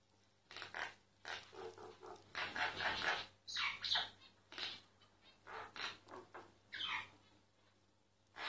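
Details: Myna singing while recorded discreetly: a string of rough, throaty croaks and harsh squawks with a couple of higher whistled notes, fairly quiet over a low hum.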